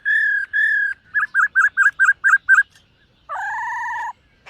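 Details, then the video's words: Dancing black-throated laughingthrush practising its morning song: two long even whistles, seven short wavering notes at a regular pace, and a final drawn-out doubled tone. "Khướu BẠC MÁ hót MÚA luyện giọng . Khướu hót sáng luyện giọng kích bổi"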